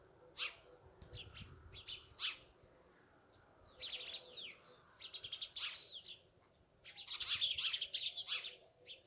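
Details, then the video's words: Chirping of sparrows in scattered bursts of short high tweets and quick down-slurred notes, separated by brief quiet gaps, growing busiest toward the end. "The chirping of sparrows is pleasant and relaxing"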